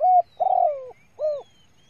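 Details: Female spotted dove coo used to rouse male birds: three mellow, hollow notes, a short clipped coo, a longer slurred coo falling in pitch, and a rounded final note.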